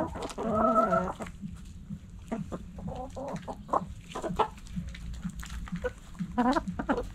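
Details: Backyard coop chickens: a drawn harmonic call opening, followed by scattered short clucks and a final rising squawk from several hens.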